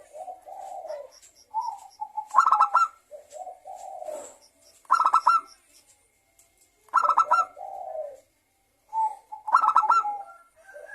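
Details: Local zebra dove singing hard, used as a lure so other doves will sing: four rapid pulsed bursts spaced a few seconds apart, alternating with soft, low, rolling coo phrases.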